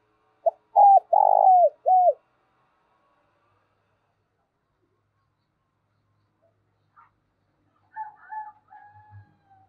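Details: Decoy spotted dove with thổ-style voice gives one coo phrase: a quick note, a level coo, a long buzzy rolling coo and a down-curving last note. Later only faint distant calls follow.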